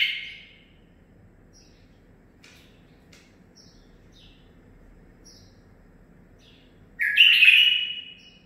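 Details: Young male bulbul, nine months old and home-bred, mostly quiet with faint scattered chirps before one strong zilzal-type phrase: an abrupt, loud, slightly rising note that trails off in a falling whistle.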